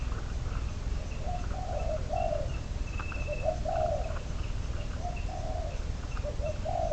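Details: Decoy spotted dove, number 22, kept for trapping, with repeated mellow coo phrases, short hoots leading to longer falling notes, heard through heavy low rumble, with a thin high whistle and scattered chirps from other birds.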